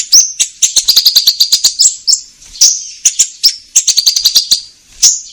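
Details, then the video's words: Lively orange-headed thrush singing to provoke caged birds into reply: rapid bursts of shrill chirps mixed with drawn-out high whistles that slide slightly downward, continuing almost without break. "Pancingan Konin Gacor Langsung Nyaut"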